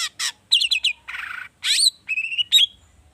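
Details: Agitated long-tailed shrike singing a lure song full of rich fill-in phrases: harsh buzzy bursts, rapid chattering notes and thin whistled slurs around high pitch, alternating quickly with short gaps.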